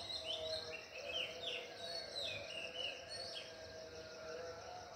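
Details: Wild birds singing at dawn at Ella Rock: several high whistled and slurred phrases, some rising and some falling, overlapping one another, with a steady insect-like hum and faint background noise.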